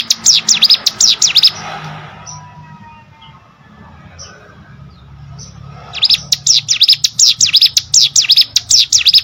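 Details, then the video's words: Hill prinia (prenjak gunung) song as master audio for contest birds: a short burst of high V-shaped chirps, a four-second lull with low hiss and faint whistles, then the rapid sweeping notes resume. "CIGUN ATAU PRENJAK GUNUNG!!! MASTERAN UNTUK BURUNG LOMBA"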